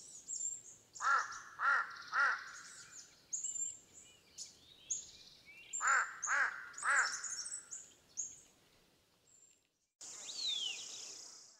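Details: Large-billed crow (Corvus macrorhynchos): two bursts of three harsh, hoarse caws, each about half a second apart, with thin high chirps and twitters from smaller birds behind.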